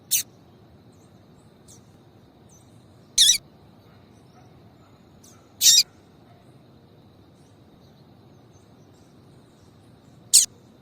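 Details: Calling female double-collared seedeater, used to stir males into singing: brief piercing high chips spaced two to five seconds apart, four in all, with faint softer ticks between them and a low steady hum beneath.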